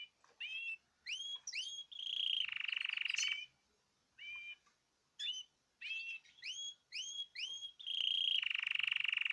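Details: Caged birds in group song, 14 March 2026: short bursts of bright whistled upslurred notes separated by pauses, with two long buzzy rattling trills and quiet gaps between phrases.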